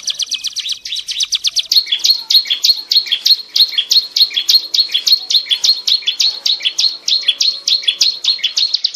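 Mountain tailorbird singing a long, busy run of high, thin chirping notes, repeated nearly twice a second without a break, in an otherwise quiet setting.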